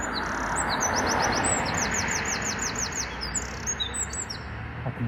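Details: Loud Eurasian wren song after midnight near Tower Bridge: a fast run of high, regularly repeated ticking notes with brief chirps at start and end, set against heavy urban traffic noise.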